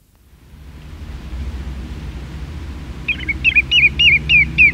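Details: A common redshank on the Isle of Man gives its flight call, a quick run of about six clear, down-slurred whistles, roughly three a second, over a low rumble of wind.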